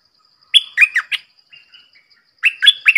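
A red-whiskered bulbul sings bright, liquid, chirpy phrases of three or four quick notes, pausing about a second between bursts; faint high background chirps.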